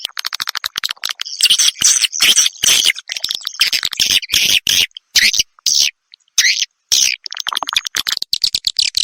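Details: Swiftlet roosting lure, edible-nest swiftlet: rapid ticking chatter builds into loud, buzzy twittering bursts, chopped by several sudden pauses, with fast ticks again near the close.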